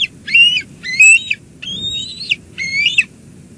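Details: At a Two Harbors bald eagle nest in July 2022, with lunch delivered to the eaglet by an adult: four loud, high squealing calls, each rising then dropping at the end, about one every 0.9 seconds.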